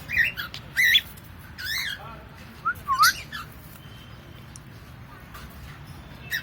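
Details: Pet cockatiel giving short squawks and upward chirps in scattered bursts, with a few harsh broadband calls and quiet indoor background between them.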